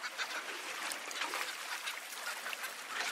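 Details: Many cape petrels cackling at once, a loud, harsh, unbroken chatter of fast rasping notes.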